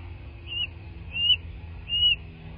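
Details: Bald eagle at its nest in southwest Florida, recorded by nest camera on 15 March 2024 around 09:47; three thin, high whistled notes about three-quarters of a second apart, each slightly rising and falling, over a low steady rumble.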